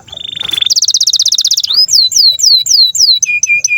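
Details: Canary song for tutoring young canaries and birds that have stopped singing: a steady held whistle, then a rapid buzzy trill, followed by slower rising-and-falling looping whistles and short clipped notes.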